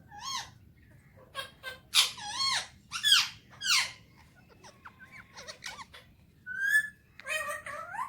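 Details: Pet Alexandrine parakeet, a talking bird with Urdu/Hindi speech, enjoying morning time: irregular loud squawks and speech-like syllables with rising and falling tones, interspersed with soft clicks and short squeaks, indoors.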